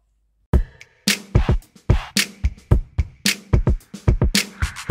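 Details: A punchy drum-machine beat with heavy kicks and snares, about 73 hits per minute, in a hip hop style. There are no animal calls.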